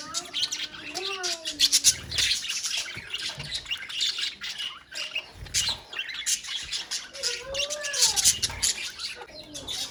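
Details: Budgerigars in a colony giving wavering, whistled squawks that slide up and down, mixed with a busy background of high chirping and scratchy chatter.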